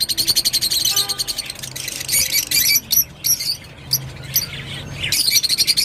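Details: Rosy-faced lovebird singing a rapid, continuous chatter of high squeaky notes with harsher rasping bursts, over a steady low hum in the background.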